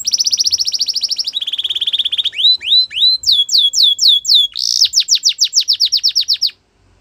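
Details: Belgian canary song opening with a fast high rolling trill, dropping to a lower roll, then rising curved whistles and a burst of rapid descending sweeps before it falls silent.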